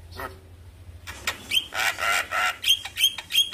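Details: Javan myna morning lure recording to get a reluctant myna singing: one early chirp, then harsh grating bursts alternating with short clear whistled notes about three times a second.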